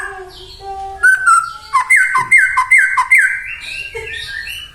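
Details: White-rumped shama singing 'gacor' as a lure to stir other shamas to sing: soft notes, then a fast series of about six loud, down-slurred whistles, and finally higher rising phrases.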